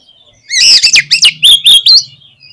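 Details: Oriental magpie-robin in full song: a loud, dense phrase of bright whistles and sharp clicks, about eight strokes in one and a half seconds, with a soft low hum underneath and quiet before and after.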